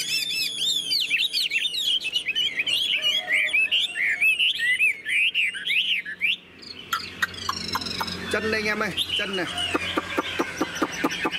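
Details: Tamed caged Chinese hwamei with fanned tail in full song: fast, loud warbling of looping whistled notes, then a run of sharp clipped repeated notes; no other voices.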